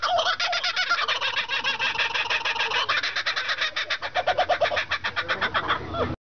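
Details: Laughing kookaburras at the 2011 Temecula Balloon & Wine Festival give their laugh: a continuous six-second run of rapid, harsh, repeated chuckling notes that swell and fade in loudness.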